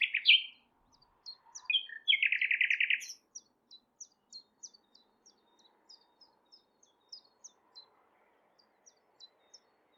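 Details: Common Nightingale song from Thurrock Thameside Nature Park, filmed on a Panasonic GH6: loud whistled opening notes, a fast, powerful rattling trill lasting about a second, then a long series of soft, sharp high ticks gradually spacing out.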